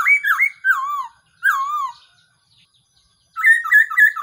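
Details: Black-throated laughingthrush calls used as a decoy for trapping: wavering, warbled notes, two long wavy whistles, a pause, then a rapid, bouncy whistled phrase.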